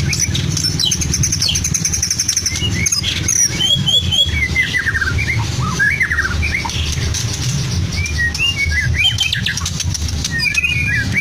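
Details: Captive Medan-type white-rumped shama singing a song packed with imitations of lovebird, canary and cililin: dense rapid chirps, squawks and whistled slurs over a steady low hum.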